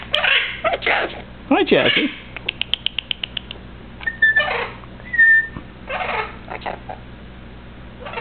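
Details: Male Eleonora cockatoo kept as a pet, whistling and talking at home: harsh chattering bursts, a quick evenly spaced series of clicks, then two short pure whistled notes, with a person's voice around.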